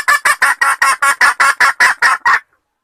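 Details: A female red junglefowl calls a male with eleven loud, harsh clucks in quick even succession over about two and a half seconds, then silence.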